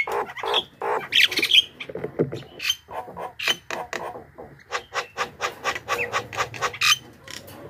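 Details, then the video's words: A Javan myna recording used as a lure to call in wild Javan mynas. It gives a run of harsh, squawky notes mixed with brief whistles, repeated rapidly at about two per second. "suara burung pikat jalak kebo gacor,suara pas untuk pancingan jalak ombyokan"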